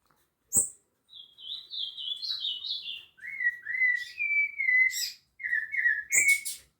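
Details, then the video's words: Rufous-bellied thrush singing at Piedade: a flowing run of clear whistled phrases, first slurred notes stepping downward at high pitch, then lower fluting two-part phrases repeated in quick succession, with sharp clicks near the start and end. "SABIÁ LARANJEIRA canto"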